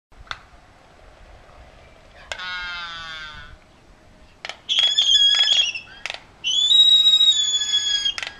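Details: A Laysan albatross pair displaying, recorded March 11, 2013 in a neighbourhood they return to yearly, no chick this year: sharp bill-clacks, a buzzy harmonic whinny, then two long, loud, wavering rise-and-fall moans.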